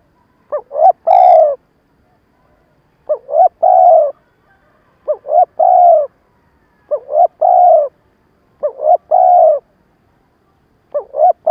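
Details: Captive decoy spotted dove giving a stammered cooing call to provoke wild doves for trapping; six repeated low phrases, two short upswept notes then a longer coo, about every two seconds, with a faint click at the start.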